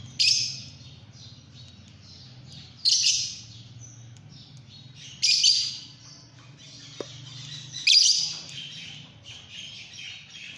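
Fischer's lovebirds give harsh, high chattering bursts about every two to three seconds, with a low steady hum underneath.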